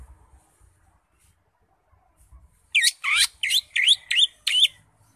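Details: Greater green leafbird (cucak ijo) ngekek song: after near silence, a two-second volley of six loud, harsh, sliding notes about three per second. Faint low thumps sit underneath.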